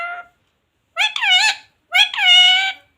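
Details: A pet parrot, known locally as mitthu, talking indoors: three short voiced, speech-like phrases with rich harmonic bands, the second and third longer and separated by brief silences.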